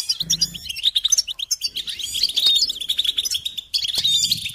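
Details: Goldfinch song for teaching chicks and songbirds: lively, high-pitched twittering with sharp chips and short trills running nearly nonstop, with a brief low hum near the start.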